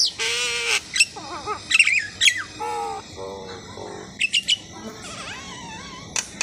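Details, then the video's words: Asian pied starling in varied song: a harsh rasping note, nasal honking phrases rich in overtones, scratchy squeaks and brief high whistles, delivered in uneven bursts with short pauses. "Suara burung jalak suren"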